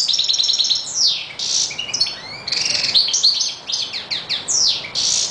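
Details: European goldfinch (Carduelis carduelis), song.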